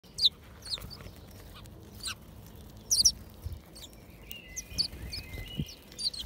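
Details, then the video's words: Sparrows in El Retiro park, Madrid, on 18 April 2020 during the coronavirus lockdown. Short, high chirps come in scattered ones and pairs, with a louder double chirp near the middle, over a steady low background rumble. "Primer reencuentro con los gorriones"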